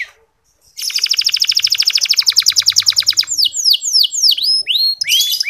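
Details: Soft 'ngeriwik' canary song, clear and long, used to encourage less eager male canaries to sing; starts with a fast, dense high trill of repeated notes, then shifts into slower sweeping whistled syllables, with a faint low hum beneath.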